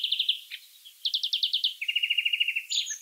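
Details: Wild European greenfinch twittering: a burst of quick chirps, a louder run of trilled notes, then a fast even rattle and a brief wheezy ending.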